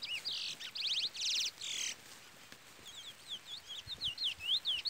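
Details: Pardo Chestnut-bellied Seed Finch in Trola song: dense buzzy trilled phrases give way to a series of slurred, swooping whistles, with chick peeps throughout.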